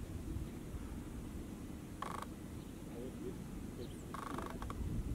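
Rufous-tailed Rock Thrush giving two harsh, rasping chattering calls about two seconds apart, the second longer, over a steady low rumble of wind.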